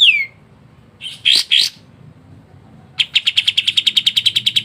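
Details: Pied triller (kapas tembak) in continuous dense rattling 'ngebren' song, kept as a tutor bird for songbird hobbyists: a falling whistle, two buzzy bursts, then a fast even train of high clipped notes.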